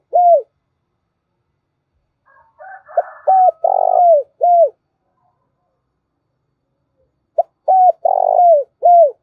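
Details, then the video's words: Spotted dove kept as a lure for wild doves, giving two full coo phrases about four seconds apart, each a soft lead note, hooked coos and a purring drawn-out middle coo, with a faint extra call before the first. "tiếng cu gáy mồi chuẩn gáy gọi dùng kích bổi vang cả buôn làng"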